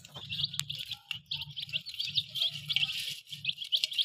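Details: Dense, continuous high peeping from a group of colourful chicks, overlapping shrill notes packed closely together over a low, pulsing mechanical hum, as the small chickens play around a remote-controlled car and balloons.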